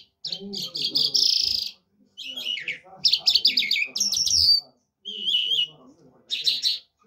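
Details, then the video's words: Lark singing in the Irani Mashadi and Afghani jal style: loud, harsh, buzzy chattering phrases of one to two seconds, broken by short silences, with rapid trills and a brief whistled rising note. "Mashadi lounda larks irani afghani jal Singing (irani Mashadi Jal) [afghani jal] top jal مشهدي"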